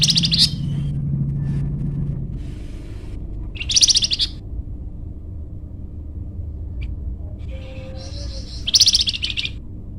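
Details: Flamboyan bird used as a lure or master song. Short, buzzy bursts of high chirping are spaced several seconds apart, with a thin whistled note between them and a low hum in the background.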